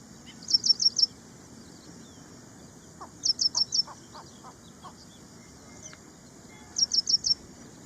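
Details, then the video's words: Ashy prinia giving three bursts of four or five sharp, high, rapid notes a few seconds apart, with softer lower chirps from another bird between them. "Suara Burung Prenjak India | Ashy Prinia"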